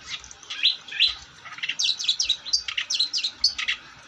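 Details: Long-tailed shrike singing actively: a busy run of short, sharp chirps and quick upslurred notes, repeated several times a second with little pause.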